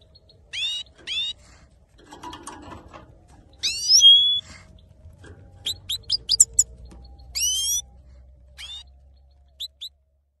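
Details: Male saffron finch giving scattered whistled notes and short chirp clusters across the stretch, one longer sweeping whistle near the start, with a brief rustling noise early on.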